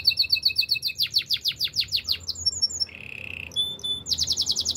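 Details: Canary song for training: rapid repeated whistled notes, faster sweeping phrases, a brief low buzzy roll, high piping, then more quick repeated notes.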